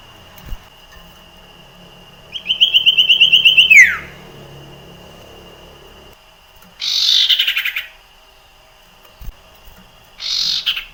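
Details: Common iora in the wild, singing to prompt other ioras: a pulsed whistled trill ending in a steep downslur, followed by two harsh, buzzy rasping bursts, with a constant faint whine behind.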